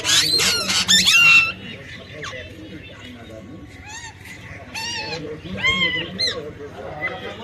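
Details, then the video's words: A parrot, tagged as a Nepali parrot, gives a burst of loud, harsh screeches at the start, then quieter nasal squawks, some rising and some falling, repeated every second or so. "Parrot/ Sound of parrot"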